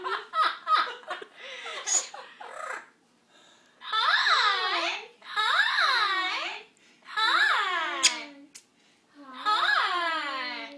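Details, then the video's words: A female Amazon parrot excited to see her owner come home from work gives a quick run of chattering, laugh-like notes, then four long, loud, wavering squawks about a second apart. "Amazon bird happy to see papa"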